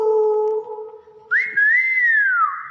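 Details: A steady background hum, then a clever hill myna whistles a sharp upward note that runs straight into a long, gently arched whistle sliding down at the end.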